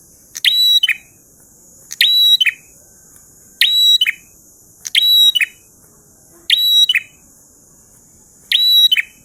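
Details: Prinia known as prenjak in ngalun song: six phrases, roughly every 1.6 seconds, each a harsh buzzy note sliding into a bright level whistle and ending in a lower slurred note, over steady high hiss.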